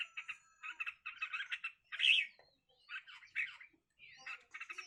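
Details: Red-whiskered bulbuls fighting: short bursts of harsh, rapid chattering notes, with one louder scratchy squawk near the middle and brief whistled upslurs between bursts, set in quiet surroundings.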